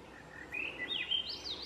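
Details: Swainson's thrush singing along France Brook Road: a single flute-like phrase of whistled notes climbing upward in a spiral, ending high and thin, over a steady hiss of background noise.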